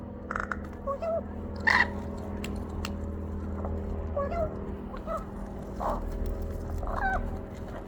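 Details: Rook on a wall, pecking while giving chirping, squawking sounds: scattered short nasal squawks and chirps throughout, one louder harsh note near two seconds, against constant low rumble.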